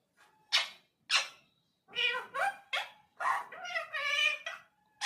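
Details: Indian parrot talking in a small room: clipped speech-like utterances, two sharp squawky syllables, then a longer run of chattering, wavering phrases that drop off at the end.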